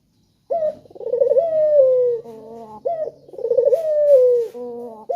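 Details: Lure call of a vocal male collared dove meant to prompt other doves to call: two full phrases, each a trembling rolled coo sliding into a smooth, long, slowly descending note, then a short clipped coo.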